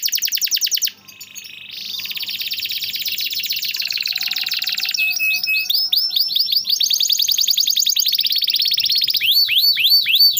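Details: Canary song for tutoring canaries that are quiet or stuck: a varied sequence of rapid trills and rolls changing pitch every second or two, ending in loud, repeated swooping whistled notes.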